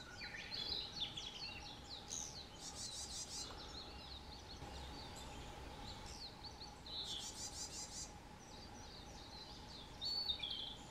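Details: Narcissus flycatcher in fresh spring woodland on Mount Rokko, Japan, May 2020: varied high whistles and chirps, two buzzy rattling bursts, with other birds singing around and a steady hum.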